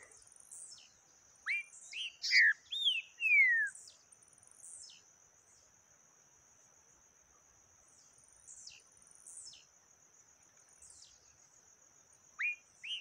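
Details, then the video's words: Yellow-bellied seedeater in the taquara rachada song style: a quick burst of sharp whistled slurred notes early on, then scattered thin high descending notes over a continuous high-pitched insect drone. "Papa capim Peito amarelo canto taquara rachada"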